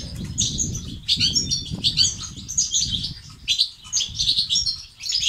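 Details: European goldfinch song of the batbata and sitsat style, used to stimulate males to sing: rapid, high twittering of tinkling and buzzy notes in bursts about every second, over a low rumbling background.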